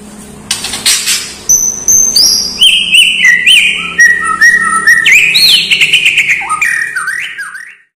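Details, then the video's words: White-rumped shama singing a filled-in song said to include imitations of lovebird, kapas tembak, cililin and fighting sparrows: a loud, varied run of clear whistles, sliding notes and sharp rising and falling phrases, delivered rapidly and continuously, preceded by brief buzzy chatter. "SUARA KICAUAN MURAI BATU"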